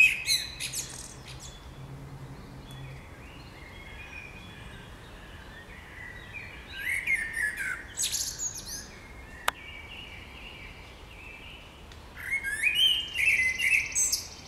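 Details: Birds in spring sing in separate bursts of sweet twittering and high trills, with quiet gaps between phrases and one sharp click midway.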